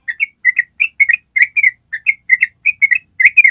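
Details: Yellow-vented bulbul performing a long ropel trill used to train other birds: dense, chirpy, bubbling whistled notes in fast doublets, with hardly any gap between them.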